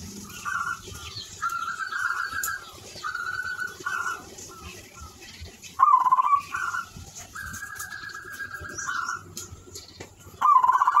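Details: Zebra dove (perkutut) singing steadily: a series of short rolled, trilling coo phrases at a fairly even pitch, broken by brief gaps, with louder emphatic bursts near the middle and end; low background hum throughout.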